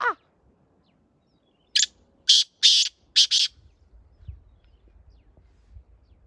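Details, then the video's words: Partridge of the Chinga variety, a small-bodied line said to call more than any other despite its small voice; five loud, harsh, noisy bursts in quick succession, then quiet low rumble. "Chinga تیتر Ziyada بولنے wali نسل | Choti آواز chota قد pr بولنے main سب se اول"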